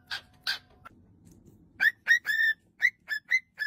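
A cockatiel gives six short, bright whistled notes with slight upward inflections, preceded by two harsh, breathy bursts.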